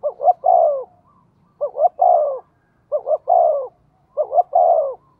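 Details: Decoy spotted dove calling in the thổ voice. Four even phrases are heard, each a pair of short upslurred notes followed by a longer, downslurred, husky coo, repeated roughly every one and a half seconds against a silent background.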